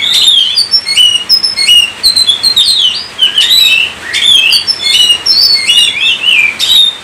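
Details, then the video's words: Kacer, the Oriental magpie-robin, sings steadily: clear whistled phrases with quick upward and downward slurs, short bright chips and occasional harsh rasping bursts, loud and close. "Kacer COVID-20 mampu sebarkan virus gacor kacer Anda"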